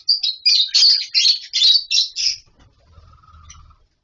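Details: Captive lovebirds in a colony with nest boxes produce six or seven harsh, high chirping bursts in quick succession, followed by a faint low rumble and a soft, thin tone.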